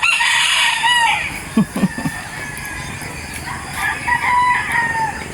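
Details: Morning crowing from several roosters, with so many in the neighbourhood that no alarm is needed: a loud harmonic crow drawn out over about a second, a few sharp knocks, then more crows following one after another.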